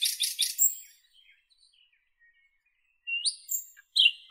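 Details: Northern European nightingale song: a burst of buzzy notes, a long pause, then clear whistles sliding upward and a sharp high note.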